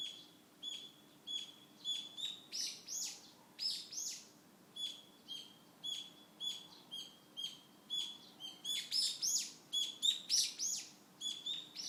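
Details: Wild birds singing in a garden in Fukushima, Japan, in early July 2013 in summer: several faint, high chirps and twittering phrases overlap steadily, with a soft steady hum beneath.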